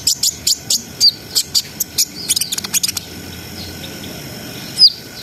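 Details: Brown-throated sunbird in a gacor ngriwik ngerol song for raising breeding arousal: a rapid series of piercing high ticks and short whistles for three seconds, then quiet with one more squeaky note.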